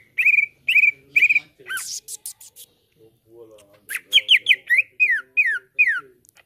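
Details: Cucak ijo, the greater green leafbird, kept as a caged lure singer: three strong whistled notes, a burst of rasping chatter, then a lively string of downslurred whistles over faint low murmuring.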